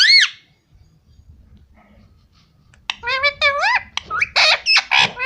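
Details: Pet parrot talking, said to be saying mummy and papa: a loud rising-falling harmonic call, a pause, then a quick run of wavering, bending syllables with strong overtones.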